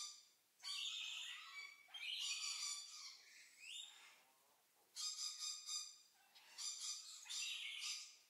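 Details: White-necklaced partridge calling at close range: harsh, buzzy notes rich in overtones, delivered in bursts of one to two seconds separated by short pauses, with some notes sliding upward; no other sounds stand out.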